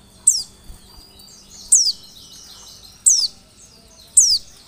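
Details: Oriental white-eye lure recording meant to make listening birds respond: four piercing, high notes sliding downward, spaced more than a second apart, with a faint low hum underneath.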